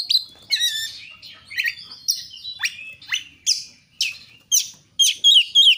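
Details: Kacer song used as a lure for other Oriental magpie-robins: sharp descending whistles and chips repeated about three times a second, ending with quick looping high notes.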